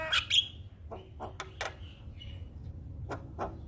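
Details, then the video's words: Black-winged starling giving harsh broadband notes, then sparse clicks and short whistled chips with gaps of silence between them. "Masteran Jalak Kebo bahan Cepat Gacor - Kicauan Jalak Kebo Juara"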